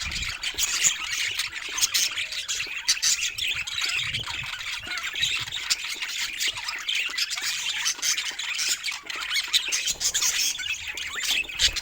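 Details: Pet budgerigars playing together in a group, filling the whole stretch with rapid, scratchy chirps and squeaky warbling notes that overlap without a break.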